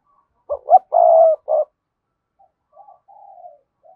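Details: Spotted dove of cườm sa type delivering one thúc gù phrase: two short punchy notes, a long steady coo, a short final note, then a few soft quiet coos.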